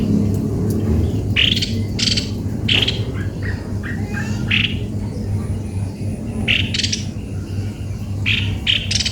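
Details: Cucak kopi-kopi uttering clusters of short, rasping squawks with brief pauses between bursts, its odd-sounding voice set against constant low droning noise.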